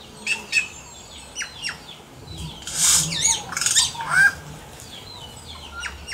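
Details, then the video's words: Yellow-rumped cacique singing in nature, mixing quick clicks and whistled notes with a loud run of harsh, twisting squawks and rasps, followed by softer chatter. "CANTO DO XEXÉU"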